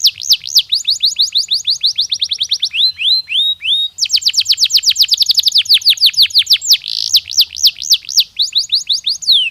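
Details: Natural canary song aimed at preparing birds for the mating season: long, loud trills of rapidly repeated sweeping notes that change speed and pitch, with a brief pause midway and short whistled phrases.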